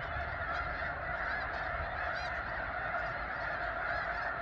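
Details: Many thousands of snow geese massed at McNary National Wildlife Refuge near Burbank, Washington, recorded from nearby: a continuous clamor of countless honking voices blending into one steady roar over a low background rumble.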